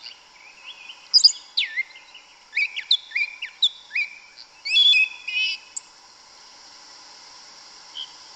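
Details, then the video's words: Yellow-legged thrush of Brazil singing in woodland: a jumble of whistled slurs, clicks and a buzzy note in the first six seconds, then quiet with only a steady background hum. "Sabiá Una cantando no mato. Lindo canto mateiro da sabiá preta"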